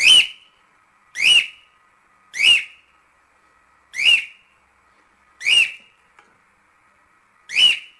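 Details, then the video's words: Cockatiel, recorded for teaching cockatiels to sing, gives six loud, buzzy, upward-sliding shrieks spaced about one to two seconds apart, with silence between them. "Canto de Calopsita 🐦 Ensinando Calopsita Cantar"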